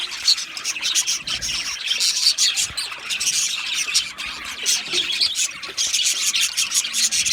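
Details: A group of Australian budgies keeps up an unbroken stream of high, scratchy chirps and twittering warbles, with many birds calling at once and occasional sharper squawks.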